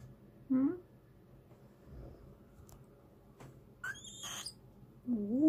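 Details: A pet Eurasian eagle-owl indoors in the morning, excited and wet after bathing, gives short, low, throaty calls at the start and end, with a brief high, squeaky whistle between, in a quiet room.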